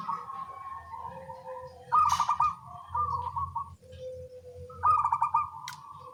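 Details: Local zebra doves calling to each other in the morning over a constant low rumbling background: three loud bursts of rapid pulsed coos, with softer lower sustained notes from another bird between them.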